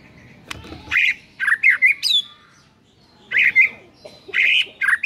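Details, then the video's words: White-rumped shama singing its varied repertoire, used as a morning lure to make other birds sing: short bursts of whistled and squawky notes, some clear and slurred, others harsh, in two clusters separated by a pause. "Pancingan PAGI HARI 100% Efektif bikin GACOR dengan suara Murai Batu BONGKAR ISIAN satu ini"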